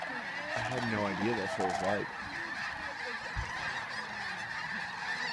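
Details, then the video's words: At sunrise over Bosque del Apache in San Antonio, New Mexico, a vast flock of geese lifts off; several loud, clear honks burst out in a quick run near the start, then the massed flock chorus carries on behind. "Geese at sunrise, Bosque del Apache"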